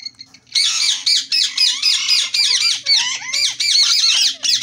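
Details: Green ring-neck parakeet chattering in rapid, voice-like bursts of raspy, high-pitched syllables, about four per second, with swooping pitch inflections and short gaps between phrases.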